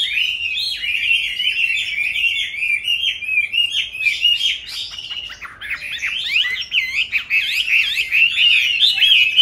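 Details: Chinese hwamei, a captive bird raised from young and in its fifth year, delivers a long, busy song of rapid rippling whistles, briefly dropping into choppy notes midway before resuming a fast looping warble.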